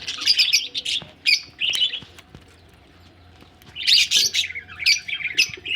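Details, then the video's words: Budgerigars ready to lay eggs chatter in raspy, squeaky bursts at the start, fall silent for about two seconds, then break into a longer spell of busy, high warbling. "budgies ready for laying egg"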